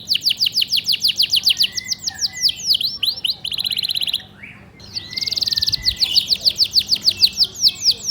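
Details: A canary sings a bright, high trilling song of rapid repeated notes, more than two per second, with a brief pause in the middle before the rolling phrases resume.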